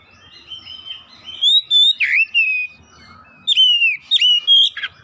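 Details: Oriental magpie-robin singing, aimed at getting other magpie-robins, home-kept ones included, to sing. Rising whistles and a harsh swoop form one phrase; after a pause, a second bright, rippling phrase ends in a rasp.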